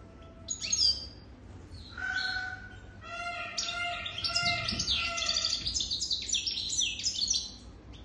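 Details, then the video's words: European goldfinch, a wild-caught adult over three years old, sings bright twittering phrases of fast high chirps and buzzy trills, starting sparse then running continuously, with a steady faint whistled tone underneath. "تغريد طائر الحسون"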